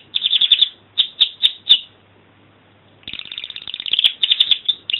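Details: Singing canary: two bursts of rapid, bright rolling trills, the first made of short repeated phrases, then a second of quiet before a longer, denser stream of chattering trills resumes.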